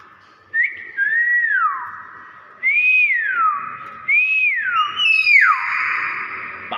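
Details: Common hill myna (beo) in natural voice giving a series of four loud looping whistles, each rising then sweeping down, about every one and a half seconds, ending with a sharp click.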